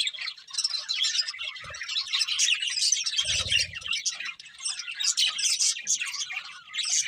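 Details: Budgies singing as they eat, a group of birds keeping up a steady stream of bright twittering and scratchy warbles, with a soft low thump near the middle.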